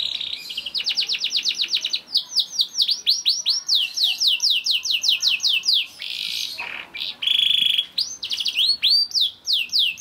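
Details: Juvenile canary whose song is played to stimulate other canaries into singing; quick series of high descending whistled sweeps in bursts, interrupted by a harsh buzzy rattle and a short rolling trill near the end.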